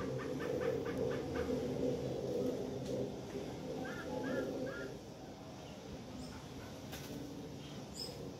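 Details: A White-throated magpie-jay waiting for bread gives a quick run of about six nasal, slightly harsh notes, then three short, higher liquid chirps, over steady background noise.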